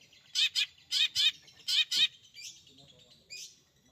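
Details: Long-tailed shrike kept as a pet bird in energetic song: loud, harsh, high chirps delivered in close pairs, three pairs in about two seconds, followed by softer, fainter buzzy notes.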